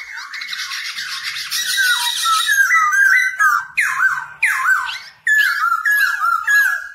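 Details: Black-throated laughingthrush, song delivered while dancing to teach newly caught birds to sing; a rapid run of wavering whistled notes, then repeated downward-swooping whistles broken by short pauses.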